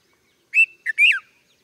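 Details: Red-vented bulbul call of three quick notes: a bright whistled note, a short clipped chirp, then a warbled note dropping away at the end, clean and unaccompanied.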